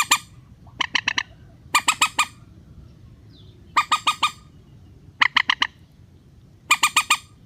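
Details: Rail lure call for trapping with nets: repeated groups of three to five rapid, harsh, nasal notes separated by brief pauses.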